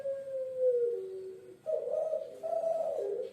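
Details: Zebra dove (puter pelung), a Javan pet bird, coos low and hollow: one long note sagging in pitch, then two shorter, slightly higher coos in quick succession.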